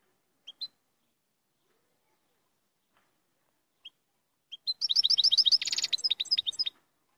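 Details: European goldfinch, Moroccan royal type: a few isolated high chirps, then a fast burst of bright, tinkling, buzzy twittered notes lasting about two seconds, with no other sounds.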